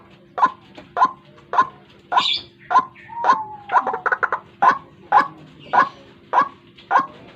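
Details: White-breasted waterhen lure call, used for trapping in the morning: a loud, harsh croaking note repeated steadily almost twice a second, with a brief higher chirp from another bird in the background.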